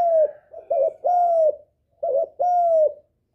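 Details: A spotted dove's lure call, given to rouse a decoy and attract males: short wavering coo followed by a long smooth falling hoot, twice over in quick succession.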